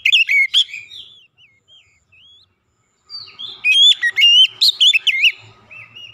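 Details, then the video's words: Oriental magpie-robin singing a lure song to draw other birds into song: opening sharp whistles, soft short squeaky notes with a near-silent gap, then a loud fast burst of varied piercing notes. "kicauan jernih Kacer pemikat | KACER macet bunyi langsung ikutan gacor"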